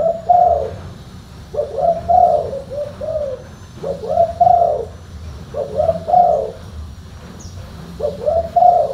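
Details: Spotted dove, known locally as tekukur, giving a deep repeated cooing phrase of several soft notes, each phrase lasting about a second and recurring roughly every two seconds, with faint background hum.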